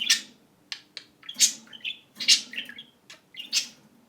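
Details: Indoor pet budgerigar imitating a phone ring: loud, harsh, scratchy chirps about once a second, each trailed by short buzzy warbles, in a small quiet room.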